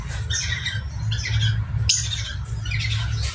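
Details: Mating parrotlets give harsh, buzzy chattering squawks in short bursts about every second, over a steady low hum; these sounds are said to stimulate parrotlets to breed.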